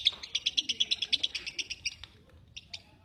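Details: Lovebird repeating shrill, clipped squeaks in a quick, regular series for about two seconds, then falling quiet apart from a few isolated sharp chirps.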